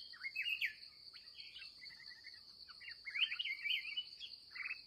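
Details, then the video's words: Wild red-whiskered bulbul, agitated, recorded late in the day while being trapped: several quick chattering warbles and a short trill, fairly quiet, with a persistent high insect drone. "kèo cuối ngày gặp bổi xung"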